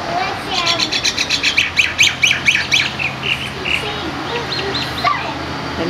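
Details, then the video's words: Hawaiian bird seen at Kaanapali on Maui, standing on one foot in a parking lot, keeps up loud, rapid, grating squawks and chatter, several per second for about three seconds, then softer notes; a child's voice is heard faintly. "Chatty bird"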